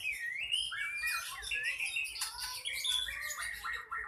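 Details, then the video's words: Ekor pendek songbird in aggressive contest song that rouses other birds to fight. A continuous, dense warble of whistles and chattering notes plays against a steady background hiss. "Ekor pendek ngamuk,dalam hitungan detik burung anda pasti ikut tarung"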